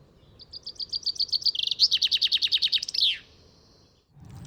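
Chaffinch song: a bright run of repeated notes that quickens and drops in pitch, ending in a flourish, all within about three seconds.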